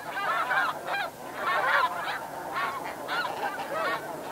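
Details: Flight calls of snow goose at Chincoteague, Virginia, United States, with a flock calling in the background: steady run of nasal, barking honks in irregular clusters, roughly seven over four seconds.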